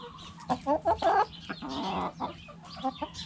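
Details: Backyard coop hens clucking: several quick loud clucks in a row, a longer harmonic drawn-out call, then softer clucks, over faint low hum.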